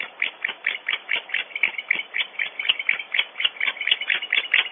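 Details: Several barn owls at the Ritz nest cavity on Audubon Starr Ranch, California, cleaking at an intruder, heard through a nest camera: dense, overlapping squeaky notes, about four a second, with no pause and uneven rhythm.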